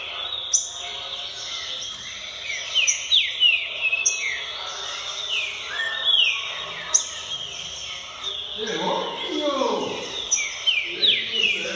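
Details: Green-winged saltator singing, said to be in top song form before August; quick descending chirped and whistled notes in loose bursts, with a steady high tone throughout and a softer chattering patch near the end.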